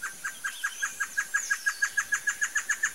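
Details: Great antshrike, known locally as choró-boi, giving a long, even series of short hooting notes at about five per second, each with a faint higher overtone, over quiet background.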